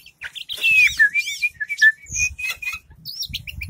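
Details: Oriental magpie-robin, a kept collection bird shown opening its tail, singing clear whistled phrases that slide down, with looping high notes and short sharp chirps between, over faint low background rumble.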